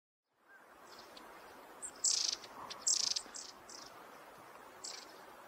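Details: Long-tailed tit calling in winter in Hokkaido, Japan, recorded with a camera: a few short, thin, high buzzy calls in two to three brief bursts over steady background noise.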